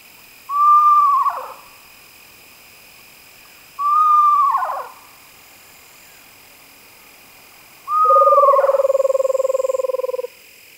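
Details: Three separate screech owl whinnies, each a brief whistle dropping into a shaky descending tail, spaced several seconds apart; the third blends into a long steady low trill lasting over two seconds.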